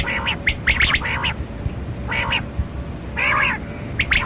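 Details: Kali Kirak quail (batera) from a hunting recording. It gives squawky, buzzy bursts of clustered notes, each lasting about a third of a second, separated by short pauses, over a constant low hum.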